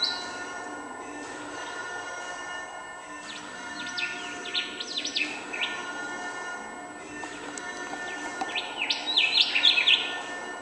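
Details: A rufous whistler in Aldinga Scrub sings two bursts of quick, rising and falling whistled notes, each about a second long, over a steady high background drone of music.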